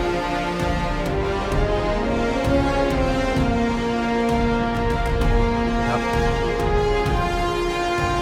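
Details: Only background theme music is heard, with sustained tones and no animal voices.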